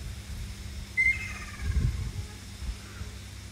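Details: A wild Ruddy kingfisher on the Amami islands gives one downward-sliding call with a rolling, fading tail, then a soft low thump. Background rumble continues throughout.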